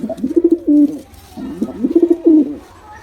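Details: Male and female pigeons give two throaty cooing phrases, each a quick stutter of low notes ending in a drawn, slightly falling coo, about a second and a half apart, in a small room.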